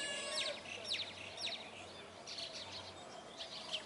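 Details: Several Brahminy starlings in a flock trade quick descending squeaks and chirps in rapid succession, about two a second, over a steady low hum.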